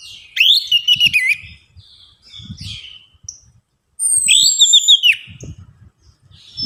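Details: Song of the orange-headed thrush used to coax reluctant birds into singing: two bold bursts of twisting, slurred whistles and rapid trills, with quieter chatter between them and faint low bumps.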